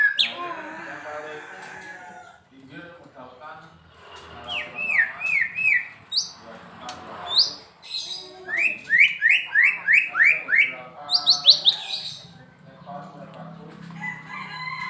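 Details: White-rumped shama from Medan, said to sing readily every day: varied chattering and mimic-like phrases, then long runs of fast rising whistled notes repeated about three per second, with faint background hum.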